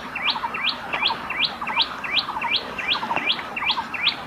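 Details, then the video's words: Common tailorbird of South and Southeast Asian gardens and wooded areas repeating a loud, rhythmic song: each unit a quick upslurred whistle over short lower chattering notes, steady and fast throughout. "OLHA COMO ESSE PÁSSARO CANTA"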